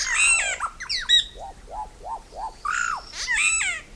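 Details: Solitary black cacique (Cacicus solitarius) song: a varied mix of harsh, nasal squawks and chattering notes, with a run of four liquid whistles near the middle that rise and fall.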